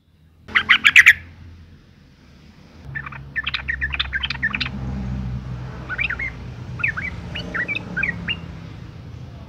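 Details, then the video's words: Breeding female sooty-headed bulbul calling males, the sound used to lure them into song: one loud harsh burst, a quiet gap, then a string of short chirps followed by softer looping notes over low hum. "suara panggilan burung trucuk betina gacor birahi"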